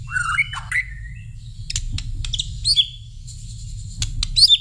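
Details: White-rumped shama answering a whistle: a mix of clear whistled notes, sharp high chips and short squeaky phrases, spaced irregularly with brief pauses between bursts.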